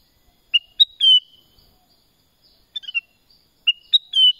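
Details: Black-crested bulbul, locally called kutilang emas, giving two matching bursts of clear whistled notes, a short rising whistle, a higher note, then a longer falling slurred whistle, the phrase repeated after a pause, with a softer broken phrase between.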